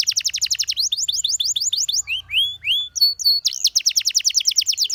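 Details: Canary training song: rapid repeated descending notes, a run of rising hooked whistles, a short steady whistle, then a long fast trill of repeated syllables.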